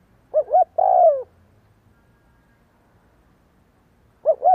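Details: Spotted dove cooing for decoy training: a full phrase of two quick hoots and a long falling coo, silence of about three seconds, then the next phrase begins.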